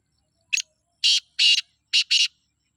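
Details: Sindhi black francolin calling in jungle, a clipped opening note followed by four rasping broadband bursts grouped in two close pairs, loud and clean with nothing else audible.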